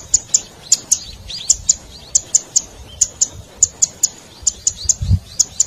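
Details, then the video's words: Zitting cisticola, a red-toned cici padi, recorded as a lure for attracting wild birds. Sharp, high ticking notes come mostly in close pairs, repeated steadily for several seconds, with faint swooping whistles between them and a low thump near the end. "Suara Burung Cici Padi ll Suara Pikat Cingklong"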